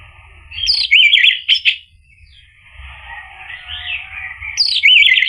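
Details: Orange-headed thrush song meant to prompt a male into singing: loud jumbled warbles and squeaks, a pause with softer sliding whistles, then another bright warbled burst.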